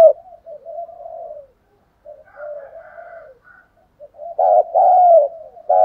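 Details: Spotted dove used as a lure bird to draw wild doves, singing in the thổ voice style: low hoarse coo phrases, softer murmured coos in the middle, then two loud, full coos at the end.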